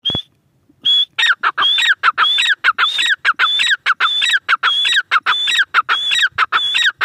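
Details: Grey francolin (teetar) calling loudly after a sharp click: a rapid, rhythmic run of shrill, ringing phrases, each a high whistled note followed by harsh lower notes, repeated about every half second without pause.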